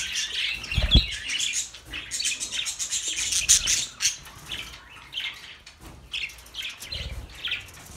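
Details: A group of budgerigars keeps up a busy warbling chatter of short chirps and squeaky notes, with occasional low knocks and rustles.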